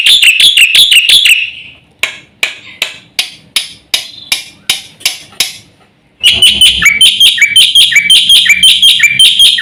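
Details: Black-winged myna master song meant to provoke birds: quick squeaky notes, then slower dry clicking strokes spaced under half a second apart, then a dense run of shrill chirps.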